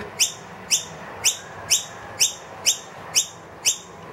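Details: Eight evenly spaced, shrill upward-flicking chirps, about two per second, from a wild noisy miner with two young in a room, loudly asking for food after the feeder was emptied.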